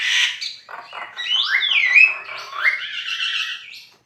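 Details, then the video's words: Singing Javan myna (jalak kebo), gacor: a harsh squawk, then long gliding whistles sweeping down and up, blending into a buzzy, sustained warble. "JALAK KEBO GACOR FULL MASTERAN"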